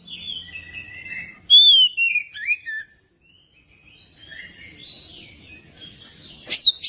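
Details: ['Oriental magpie-robin song, played to prompt another magpie-robin to sing: loud whistled phrases sliding down from high to mid pitch, with quieter warbling between bursts and a brief pause in the middle.']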